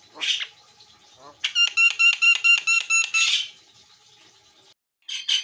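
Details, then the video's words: White-eyed Javan myna singing actively (gacor) on a master training recording: harsh squawks, then a rapid run of evenly spaced buzzy harmonic notes for about two seconds, a burst of rasping noise and a short final squawk. "JALAK KEBO MATA PUTIH GACOR"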